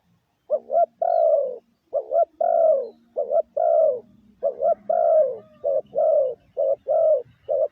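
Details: Fast sequence of spotted dove lure coos, used to train decoy birds, mixing clipped doubled notes with longer falling coos, growing denser toward the end.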